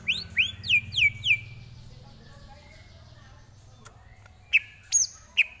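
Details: Greater green leafbird tutor song: four loud, down-slurred whistles repeated in a quick series, then a long quiet gap before a few sharp, isolated high chips.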